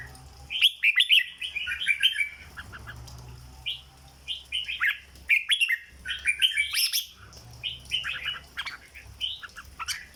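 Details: Red-whiskered bulbul in captivity in the legendary 'rong dok' (flower) song style: rich, rapid warbled whistles in repeated bursts, some reaching high pitches, with short gaps between bursts.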